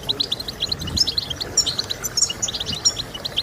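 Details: Bright European goldfinch song for encouraging goldfinches to sing: fast, high, tinkling chirps and a few ringing notes in a busy burst, with a faint low rumble.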